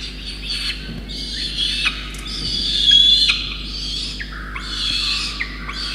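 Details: Peregrine falcon chick in Orange, New South Wales, Australia, on 5 November 2021, begging as soaked parents deliver a soaked starling; near-continuous loud harsh wailing, rising and falling in long strained bursts, with short sharp squeaks between.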